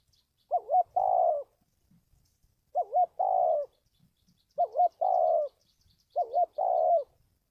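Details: Spotted dove call used as a lure for trapping and decoy training. Four evenly repeated phrases come roughly every 1.8 seconds, each a short wobbling two-part note and then a sustained coo, with faint low rustles between them.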